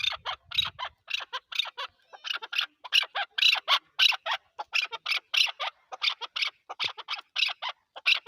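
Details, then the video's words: Chukar partridge, Pakistan's national bird, in a loud, steady run of sharp, rasping chuck notes, rapid and rhythmic, with a faint low thump at the start. "chakor ki awaz zark awaz"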